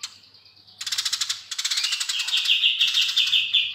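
A Eurasian tree sparrow gives quick, harsh chirps, nearly three a second, that run together into a long, buzzy, high chattering trill.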